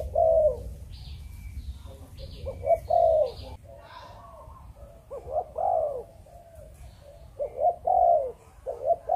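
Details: Malaysian spotted dove in a breeding setup cooing chụp chụp ô: irregular bursts of clipped coos and longer hollow notes, with scattered high chirps of other birds in the background.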